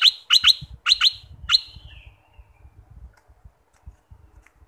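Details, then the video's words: Bulbul from southern Thailand, used to rouse birds for trapping, gives five loud, clipped bright notes in quick pairs and singles, then a trailing fade over low thumping and rumbling. "#เสียงนกดอกแตงภาคใต้#Ep3.เปิดไว้ฟังให้นกคึก สำหรับต่อ"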